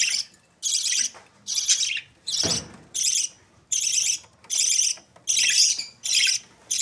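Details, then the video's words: Budgerigar chicks, Australian parrots, in Pakistan: a steady run of rasping, hissy bursts, each about half a second long, repeated roughly once a second with short gaps between. "Parrot Sounds Australian Parrot Chicks"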